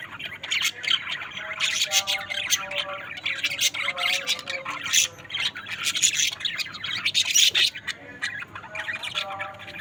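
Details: Several budgies give a dense, continuous chatter of harsh squawks and rapid twittering, with occasional short whistled notes mixed in over a faint low hum.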